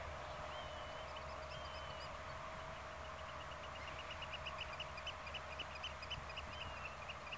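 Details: Black-tailed godwit calling near Zoeterwoude, Netherlands: faint, fast series of short high notes, some drawn out and slurred, repeated about four times a second over a steady background hum.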